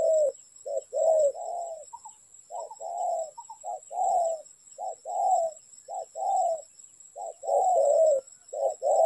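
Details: Spotted dove coos recorded while trapping birds: mellow low phrases of one or two short notes leading into a longer purring coo, repeated steadily with brief gaps, faint higher chirps now and then.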